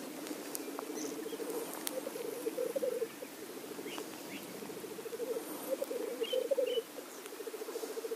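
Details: Several black grouse males display at a lek, keeping up a steady rolling bubbling coo that swells in waves, with a few short hissing sneezes in the background.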